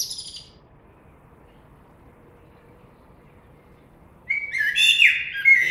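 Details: Blackbird song fragment: the tail of a high twittering phrase at the start, a long silence, then a fresh phrase of low fluty warbling that rises into thin, scratchy high notes at the end.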